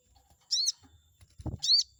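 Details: Chestnut-backed scimitar babbler meant to make a rival bird respond: two drawn-out, high, squealing notes half a second long, separated by a short low thump.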